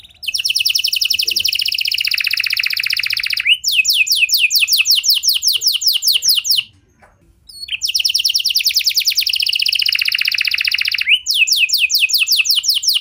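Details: Canary song meant to draw other canaries into singing: two long bouts, each a dense high buzzing trill dropping into a run of rapid repeated sweeping notes, separated by a brief pause.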